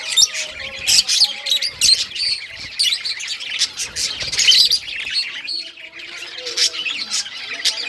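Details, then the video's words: Budgies in rare colour varieties, playing with their toys, keep up a continuous twittering warble of rapid chirps and short scratchy notes over eight seconds, with faint low tones in the background. "Budgies all rare colors playing and chirping sounds playing with toys"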